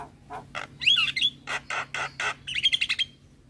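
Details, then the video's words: Black-winged starling song in a tutor recording alongside other starlings: harsh, raspy chattering notes spaced about a quarter second apart, broken by a squeaky warbled whistle, and ending in a fast trill of thin high notes. "Jalak Kebo Gacor"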